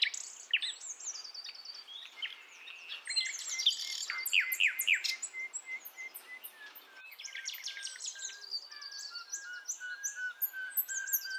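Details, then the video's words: Forest nightingale, sikatan londo, recorded wild in Java; a female calling males as a lure for young birds. Dense, overlapping high chirps and trills with a run of evenly spaced whistled dots, faint insect-like background. "Nightingale Bird Singing - Suara Kicau Burung Sikatan Londo Kipas Rimba Emas"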